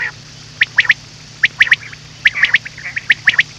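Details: Common quail call for night hunting: crisp three-note phrases repeated about every three-quarters of a second, each note short and clipped, with a constant low hum underneath.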